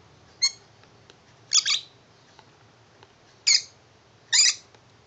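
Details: Indoor tame lovebird, happy with a shoe box as its new house, gives harsh squeaky chirps, some doubled, spaced about a second apart over a faint room hum.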